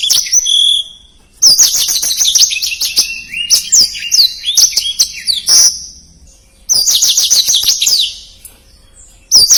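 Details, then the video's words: Blackthroat singing in energetic bursts of rapid high twittering and sweeping whistles, separated by short silences, three main phrases over nearly ten seconds; used as a tutor recording for contest birds. "Suara Blackthroat Gacor Speed Rapat | Masteran Blackthroat Durasi Panjang"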